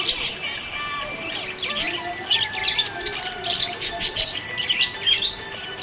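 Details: Happy budgerigar chattering: dense, busy stream of scratchy chirps and warbles with squawky accents, plus faint sustained tones in the background.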